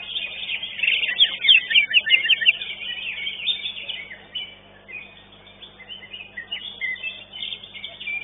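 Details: Contest-singing greater green leafbird, second-place winner at Legok Permai: a quick series of sharp, high, down-slurred notes early on, then dense overlapping chatter from many other competing birds.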